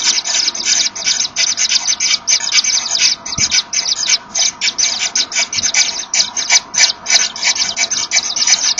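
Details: Common Kingfisher pair at the nest in the afternoon, male making room for the female bringing a small fish, the pair blowing at each other apparently to locate one another; rapid breathy hissing bursts repeated several times per second, steady throughout.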